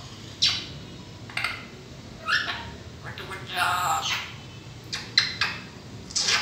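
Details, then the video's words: A grey parrot, a talking mithu, gives short, bright bursts of talking-like mimicked phrases and whistles, about a dozen separate phrases over a few seconds, in a quiet room. "Talking Gray Parrot | Talking Mithu"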